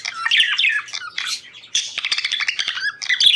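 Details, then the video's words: Budgerigar chatter played to stimulate breeding condition: harsh squawky notes mixed with scratchy warbles and squeaks, continuous and busy throughout. "ESTIMULA CELO PERIQUITOS"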